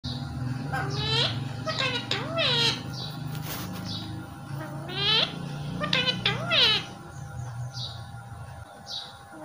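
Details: Pet parrot talking, mimicking words such as "Mummy what are you doing", "baby" and "I love you": short voice-like phrases with swooping, rising and falling tones in separated bursts, over low room hum.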